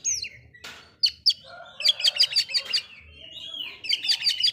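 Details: Oriental magpie-robin delivering song that agitates rival magpie-robins: a falling whistle, a harsh burst, then quick repeated bright chirps in two rapid series.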